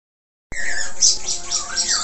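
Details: Budgerigar (Australian parakeet) singing vigorously with a varied, richly filled warble, described as gacor: after half a second of silence, a dense burst of scratchy high chatter with rising chirped notes begins and continues to the end.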